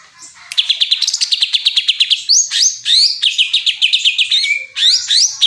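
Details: Greater green leafbird delivering a rich, high song: a burst of rapid ticking notes, then bright downward and upward whistled slurs mixed with chattering trills, fast and continuous, with no other sounds.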